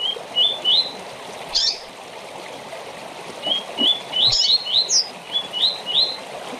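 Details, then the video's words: Rusty-collared seedeater short song for tournaments: clear rising whistles in series of three, broken by a sharp high burst, then a longer run of sweet climbing notes, over a hissing background. "Coleiro ou Papa-capim com Canto Curto Para TORNEIO"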